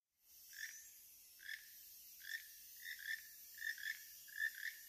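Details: A loud pair of keel-billed toucans calling from above in Panama gives dry, frog-like croaking notes, repeated roughly every second and speeding into doubled croaks toward the end.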